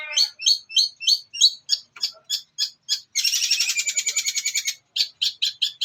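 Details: Long-tailed shrike, cendet, in master song training recording with mimicked phrases: a rapid series of sharp, high chirps about three per second, then a dense buzzy chattering trill, then more clipped chirps.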